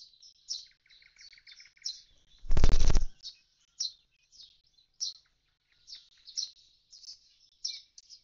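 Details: Common starling at an empty nest box after its young have fledged: rapid chattering notes high up, with a buzzy rattle near the start and a loud thump in the middle.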